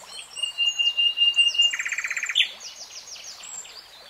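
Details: Common nightingale singing a varied phrase: a sustained high whistle, then a rapid machine-gun trill of short notes, ending in scattered high twittering slurs.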